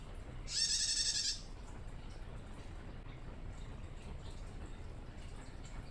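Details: Young female bar-winged prinia, still learning to sing, calling to males: a single short, high, buzzy trill lasting under a second, followed by steady background hiss.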